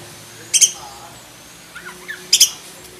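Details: Black-breasted oriental magpie-robin with a full, varied song used as a training recording for other magpie-robins: two loud, sharp high bursts about two seconds apart, with soft lower chirps between them over a quiet hum.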